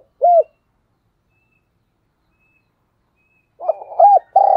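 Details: Decoy spotted dove, 2022: one short arched coo, a long pause, then a rough buzzy lead-in, a clear arched coo and the start of a long sustained coo.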